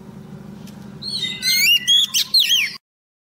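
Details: Female Oriental magpie-robin luring a male, giving a short burst of looping whistled notes and slurs over a low background hum, ending abruptly.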